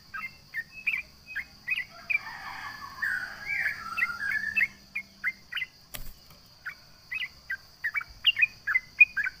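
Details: Sooty-headed bulbul (trucukan) provoking rivals: clipped whistled notes, then a softer warbled passage, a sharp knock near six seconds, and more quick slurred notes; a constant high-pitched hum continues throughout.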